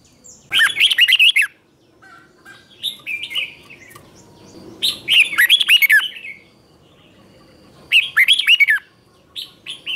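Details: Red-whiskered bulbul, morning training song in the chè style, 2024: repeated phrases of chattering, slurred whistles, some loud and full, one softer and shorter, with gaps of one to two seconds between them.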